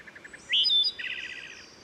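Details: Wood Thrush song in forest along steep Herring Run stream, Susquehanna State Park, Maryland, richly reverberant: four soft low notes, a loud rising flutelike whistle, then a long buzzy rattling trill fading out.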